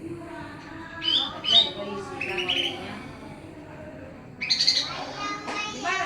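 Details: Greater green leafbird of the Pakpak type singing actively amid noise: short bright chirps and sharp whistled notes in bursts, with a steady background of voices and harmonic chatter underneath.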